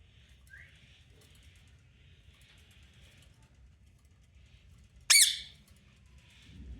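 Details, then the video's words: Pet parrot kept in a cage in Pakistan, active and playful: mostly quiet with faint chatter, then one sudden loud, rasping squawk near the end. "Mitu Parrot Original Voice"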